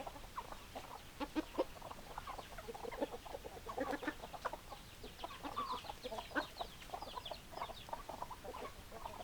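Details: Hens clucking as a busy group, a steady jumble of short clipped clucks and occasional higher squeaky notes from many birds, some calls louder and nearer than others.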